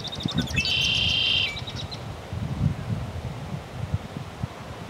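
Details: A male Red-winged Blackbird, maintaining his territory on Monday, May 21, 2012, gives a few quick, sharp introductory notes, then a rasping, buzzy trill lasting almost a second, over a low background rumble.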